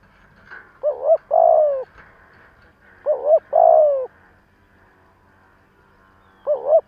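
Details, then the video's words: Decoy spotted dove trained to provoke wild doves, calling two full low cooing phrases of quick doubled notes then a drawn-out falling coo, with a third phrase starting at the end; faint background murmur. "Tiếng chim cu gáy kích bổi nhanh nổi"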